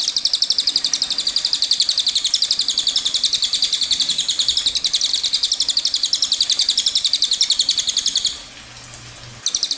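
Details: Long rolling cililin song (ngerol panjang): a sustained fast trill of high, sharp repeated notes lasting over eight seconds, then a short pause and the start of another run.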